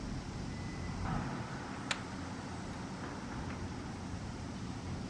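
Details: Outdoor ambience of steady traffic rumble, with one sharp click partway through.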